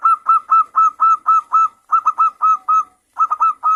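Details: Local zebra dove with a clear 'crystal' voice, played to provoke other doves into singing: a steady run of crisp, bell-like coo notes about four per second, broken by one short gap before the series resumes.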